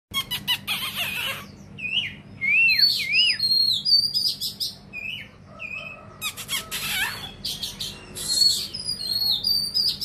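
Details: Oriental magpie-robin singing while spreading its tail wide: varied clear whistled phrases, some sliding and wavering, mixed with harsh scratchy bursts and high thin notes, delivered in quick irregular bursts over a faint low hum.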